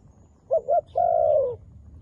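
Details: One full coo from a black-feathered wild dove: two quick rounded notes, then a sustained, softly falling hoot lasting about half a second, over a faint low hum.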